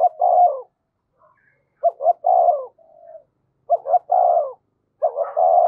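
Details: Decoy spotted dove cooing: low three-part phrases, two clipped notes then a long coo, repeated roughly every two seconds, with a soft quiet coo between.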